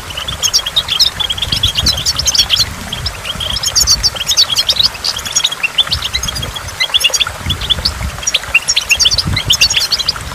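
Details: Long stretch of goldfinch song beside a waterfall: bursts of fast, tinkling chirps and twitters come in waves, over a constant rushing of water and occasional drips.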